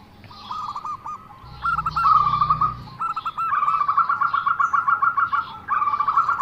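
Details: Zebra dove giving an unusual call: a mid-pitched, rapidly stuttered string of short notes in several bursts, growing louder and more insistent, with a low engine-like hum for part of the time.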